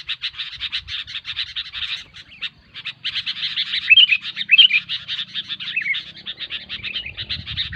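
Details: Sooty-headed bulbul chattering without pause, a dense run of rapid buzzy notes with occasional clear whistled flourishes near the middle, one short lull early on.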